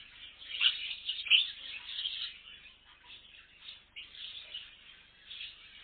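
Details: Aviary bird colony giving busy overlapping high chirps and squeaky twitters, two sharper squeaks near the start, then a steady chattering wash of many birds calling at once.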